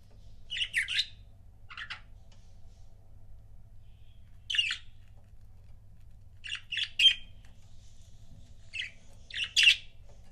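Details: Budgerigar couples kept as pets give sparse, scratchy chirps and short squawks in small clusters, with quiet gaps of a few seconds between them and a low steady hum beneath.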